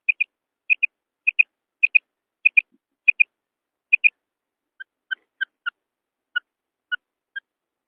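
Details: Calls from a female quail: crisp high double notes repeated about every half second, then a run of lower, slightly hoarse single notes at a similar pace, in a quiet setting.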